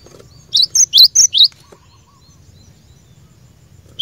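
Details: Cinereous tit (glatik batu) song for training caged birds to sing. Five quick bright notes, each a sharp chip slurring into a whistle, then quiet with faint soft background chirps.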